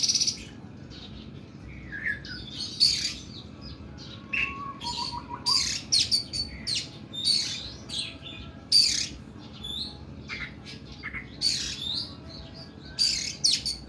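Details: Oriental magpie-robin delivering long, rough song phrases: sharp high chips and bursts repeated at uneven intervals, with a short descending whistled run early on and a constant low background hum.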